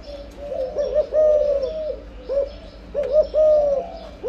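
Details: Soft hollow coos from a breeding spotted dove: a rapid double note, then a longer, slightly falling tone, the phrase heard twice.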